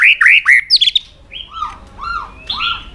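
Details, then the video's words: White-rumped shama, tail-flicking and provoked, sings fighting song: quick looping whistles, then three slow, arched mellow whistled notes spaced evenly. "Chòe Lửa Đánh Đuôi Sàn Cầu Kích Lửa Hót Căng. luyện Chòe lửa hót đấu"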